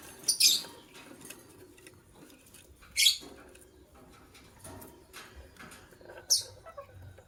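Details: A pair of white lovebirds calling in the morning: three piercing, high chirps about three seconds apart against a steady background hiss.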